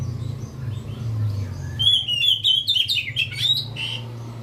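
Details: Oriental magpie-robin singing: after a low rumbling start, a burst of rich, varied whistled notes and quick chirps arrives midway and runs for about two seconds before ending on a clear whistle, over a steady low background hum.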